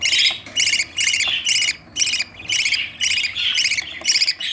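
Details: Budgerigar chicks beg while being fed by their parents, with harsh, raspy chittering bursts repeated about twice a second.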